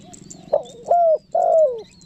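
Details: Spotted dove calling with a pressing coo style, used to lure wild doves: a short soft note, then two clear cooing notes that rise and then slide downward, the last longer, with a faint low hum underneath.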